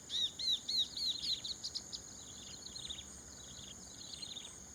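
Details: Chestnut-capped babbler in rice fields at Prachuap Khiri Khan, Thailand, 2025. A quick series of bright, high, down-slurred whistled notes, about six of them, then softer chattering notes that fade. A steady high insect drone runs throughout.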